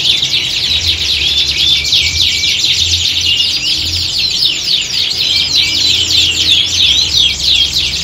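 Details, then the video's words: Group of canaries in full song, meant to recreate a contest atmosphere and build a fighting spirit in trained birds; packed rapid trills and looping warbles repeat several times per second, voices overlapping throughout, over a faint low hum. "Kicauan Squad Kenari Siap Gantang!"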